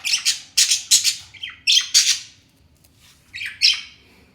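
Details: Pet talking parrots fighting with each other: a series of loud, harsh, rasping screeches in quick clusters. The screeches break off, and after a short quiet gap a final pair of squawks follows.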